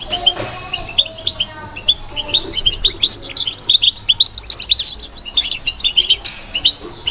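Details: Batbata song from a caged European goldfinch: bright, high chattering phrases with tinkling notes that grow louder and quicker toward the middle, a faint low knock at the start.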